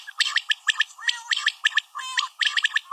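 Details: Female common quail calling: short sharp clicky notes in pairs and threes, mixed with softer rising warbled notes between the bursts.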